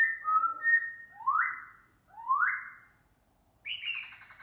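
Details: Black laughingthrush singing and dancing in the morning: clear whistled notes, then two loud rising slurred whistles and a higher burred phrase.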